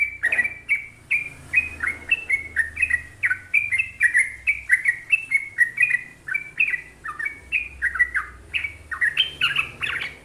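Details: Lively trucuk bulbul song in long phrases: fast, bubbly, warbling notes repeated in an even pulse, growing busier toward the end, over a soft low background hum.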